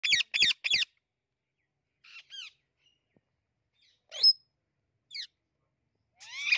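An Amazon parrot gives three quick harsh screeches, then scattered squawks and a long raspy scream after pauses, all loud and high.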